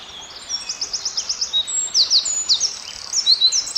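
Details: A wren sings in the forest: rapid, very high trilled notes in quick series, with sharp downslurred chips following, over a soft, steady natural background.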